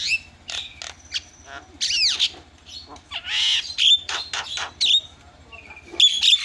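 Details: Starling song used as a lure to set quiet starlings chattering: a busy mix of harsh buzzy bursts, rising and falling whistled slurs and short sharp notes, loud and uneven, with a faint low hum underneath.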